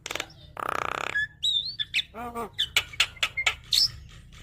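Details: Full, lively song of a Javan myna, used to coax a bird that is reluctant to sing. A grating buzz leads into bright whistles, a deep nasal croak, then scattered sharp clicks and short whistled notes.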